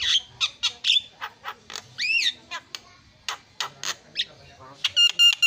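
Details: Javan myna, a champion songbird, delivering separate harsh squawks and chips with one rising-falling whistled phrase, ending in a clear, ringing, stuttered note.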